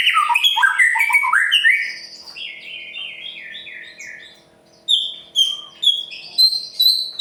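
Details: White-rumped shama, Murai Pastol style, singing to push other birds into song: quick varied whistles, a string of repeated mid-pitched notes, then a row of loud high chips.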